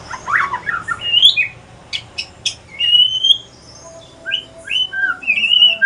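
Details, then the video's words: Male Aceh pastol shama in full voice: rich, varied whistled phrases mixing low warbles, sharp high clicks and long, clear, slightly rising whistles with brief pauses between. "Kicauan sore hari murai mutasi ke pastol si paling cerewet"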